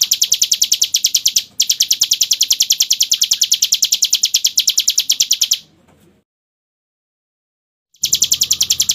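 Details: Hill prinia in the rapid continuous 'ngebren' singing style, described as crystal-voiced: a fast run of high, sharp, evenly spaced chirps, about three per second, breaking briefly at one and a half seconds, then cutting to a full silence before resuming.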